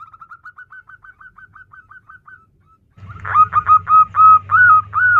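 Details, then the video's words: A female zebra dove (perkutut) calling to a male gives a fast run of soft, clipped cooing notes, then louder, ringing repeated coos about three per second over a low background hum. "perkutut betinagacor memanggil pejantan the female turtledove calls the male"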